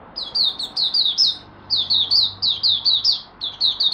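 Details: Caged oriental white-eye of Malaysian stock singing its day's first warm-up: continuous chains of high, sweet, downward-slurred whistles, several phrases of four to six notes in four seconds, with low electrical hum behind.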